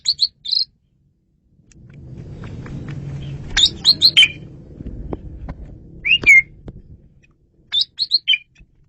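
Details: Asian pied starling song used for luring birds, described as clear and loud: short bursts of high whistled and chattering notes separated by pauses, with a low rumbling background noise in the middle.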